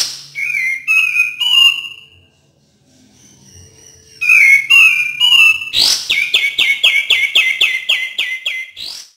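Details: Song of a cream-vented bulbul, for stimulating birds that seldom sing: bright whistled phrases with gliding notes, then a fast run of about a dozen sharp, evenly spaced chirping notes that fades at the end.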